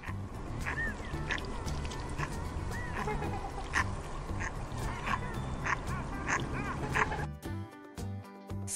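A swan gives repeated honking, nasal calls, several a second, over steady background music.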